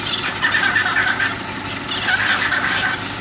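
Hyacinth macaws give two long, harsh, raspy screeches, each over a second long, with a brief pause between them.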